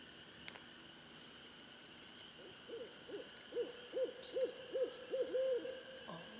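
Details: A barred owl, called in by a person, gives about eight evenly spaced hoots in a rising, bouncing series, ending with a brief thump.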